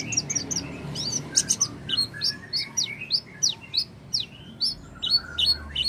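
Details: Oriental white-eye singing as a lure for a white-eye that has stopped singing: fast, continuous high twittering of sharp falling notes, several per second, over a soft low background hum.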